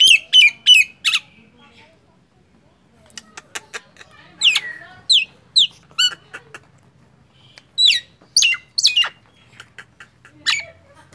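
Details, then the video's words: Nias hill myna in lively song, bursts of loud whistled and squawky notes with sharp falling sweeps, spaced by short pauses and quiet gaps. "SUARA JALAK NIAS"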